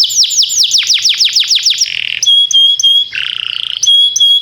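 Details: Timbrado canary training song: a quick run of high downward-slurred notes, then a buzzy rolling trill and clear sustained high whistles, all loud and unbroken.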